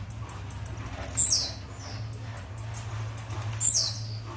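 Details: Blue-black grassquit metralha song: two bright high notes slurring downward, about two and a half seconds apart, with faint high ticks between them and a low background hum.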